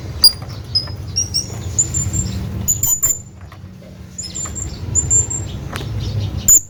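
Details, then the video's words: Hanging parrot calling to its companion: thin, very high squeaky notes, short and slightly rising, given in scattered bursts of two or three, over a steady low rumble. "hanging parrot calling his friend"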